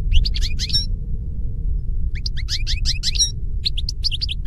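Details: Tutor song of a European goldfinch for teaching captive birds: quick liquid twitters and buzzy chirps in two dense bursts, then scattered bright notes, with a constant low background hum throughout.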